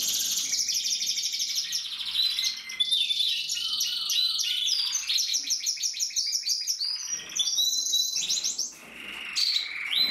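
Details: A very small male Gloster canary (finding: Belgian canary) sings continuously, with rapid high trills and rolling, buzzy phrases that shift in pitch every second or two, filling the whole clip.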